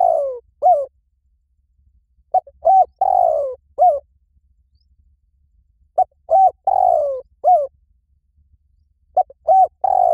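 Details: Spotted dove cooing in a steady repeated phrase, two short hollow coos then a longer, drawn-out croon and a final short note. The phrase returns about every three seconds against a quiet background.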